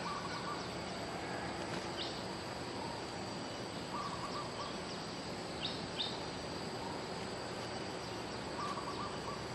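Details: Bulbul song recorded as a lure, the Malay 'pikat merbah lekir' type. Short bubbling whistled phrases return about every four seconds, with a few higher sharp notes between them, over a steady hiss of rural background noise and insects.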